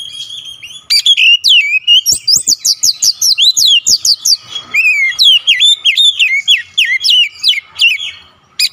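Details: Oriental magpie-robin (kacer) singing persistently and unloading its isian song material: a fast run of loud, clear whistled notes, many sweeping steeply down, repeated almost three times a second after a quiet opening second.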